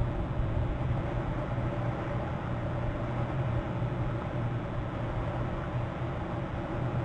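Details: Continuous broad rumbling noise like passing vehicles, even in loudness throughout, with no animal calls.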